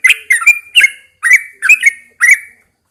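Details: In the morning a caged Yellow-vented Bulbul, known as trucukan, sings rapid bubbly phrases of slurred, gurgling notes, about six bursts in quick succession.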